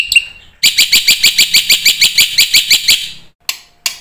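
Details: Black-winged myna in full, lively song, meant to spur quiet birds to sing: after a short pause, a steady run of loud, harsh, buzzy notes, roughly three each second, fading out with a couple of clicks.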